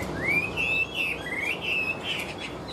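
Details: Big-bodied Chinese hwamei singing in its cage. A rising whistle leads into sustained, wavering whistled notes linked in one flowing phrase, with faint noise behind.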